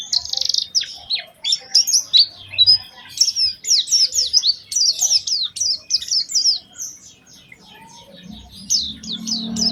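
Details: Oriental white-eye singing a lure song meant to prompt other white-eyes to sing, with special cengkok phrasing: rapid, high, thin twittering in quick downslurred bursts, nearly continuous, thinning near the end over a faint low hum.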